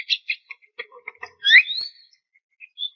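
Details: Javan myna in vigorous song: scattered short chips and clicks, then a loud rising whistled sweep that trails off, with a thin high note at the end.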